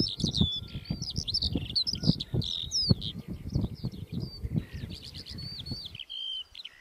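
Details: Lark pouring out a fast, continuous, high-pitched song of twittering notes, slurred whistles and short buzzes, over low rumbling thumps; the rumble drops out near the end while a few final notes continue.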